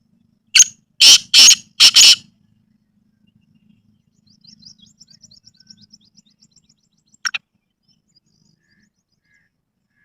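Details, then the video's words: Black francolin (kala teetar) in a village setting giving a loud, harsh phrase of four grating, rasping notes, then faint small-bird twittering and one more harsh note. "Kala Teetar Ki Awaz | Black Francolin Voice"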